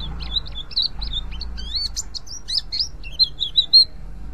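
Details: Ngriwik calling by a mountain white-eye, used to lure others of its kind: rapid, twittering high chirps and short slurs, busy and uneven, ending with a few louder clipped notes.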